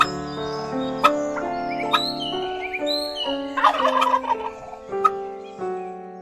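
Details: Domestic farm turkey gobbling: one rapid, rattling, bubbling burst lasting under a second midway through, set against steady background music with sustained tones and occasional plucked notes.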